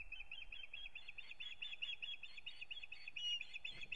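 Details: An osprey at a nest in Kurzeme, Latvia, on 9 April 2022, as the pair begins a new breeding season, gives a fast, steady run of high, whistled chirps, about seven or eight a second, over a low rumble of wind.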